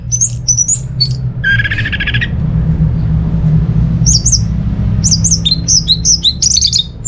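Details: Orange-headed thrush, used to spur non-singing birds at home: short chirpy phrases, a buzzy harsh burst, then a lively series of quick slurred whistles over steady low rumble.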